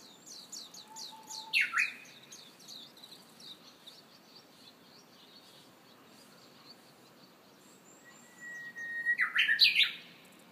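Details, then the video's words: Japanese bush warbler in Hiroshima in early summer: a short loud phrase early on, then a long held whistle that breaks into a rapid, stepped, explosive ending, with many small birds chirping high in the background. "Japanese Bush Warbler early summer in Hiroshima"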